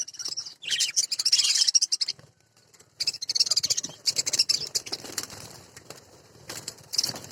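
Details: A flock of budgerigars at a budgerigar breeding farm chatters in a dense, high warbling chorus of rapid chirps and squeaks.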